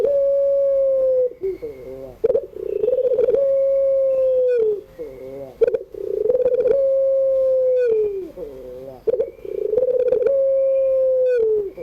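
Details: Puter pelung (Barbary dove) cooing in the afternoon, pelung-style crying song: long, steady, hooting coos held about three seconds each, opening with a rough pulsed start and sliding down at the end, repeated roughly every four seconds.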